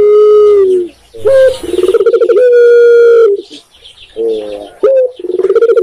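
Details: Spotted dove (tekukur) in Indonesia repeats its cooing phrase twice: a long falling coo, a sharp rising note, a stretch of rapid throbbing coos, then a long even coo. The second phrase begins after a short gap.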